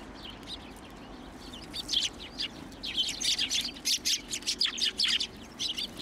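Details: Hand-fed sparrows at a Tenmangu shrine, 1 January 2024, perching on a palm for food; quiet at first, then from about two seconds a lively burst of high, rapid chirping and twittering from several birds.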